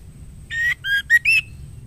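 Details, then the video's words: Calling to the male, a female white-rumped shama gives four short whistled notes, some rising and some falling, each with a buzzy edge, delivered in under a second over a quiet, humming background. "Murai betina gacor memanggil jantan"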